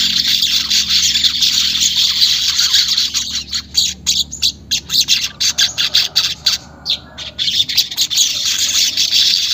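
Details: Weaver song used as bait audio to get caged weavers to sing, unedited: a dense, buzzy, sizzling chatter that runs unbroken and then breaks into rapid clipped bursts in the second half.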